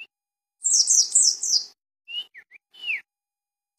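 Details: A pleci dakun, or mountain white-eye, of Cisewu, Garut, gives one rapid shrill twittering burst, followed by a few short clipped chirps and a falling, slurred whistle-like note.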